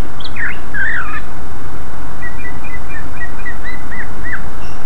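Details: Greater green leafbird giving loud, active lure song to call in other leafbirds: a couple of warbled, bubbling notes at the start, then a soft rapid series of short whistled notes, against steady hiss.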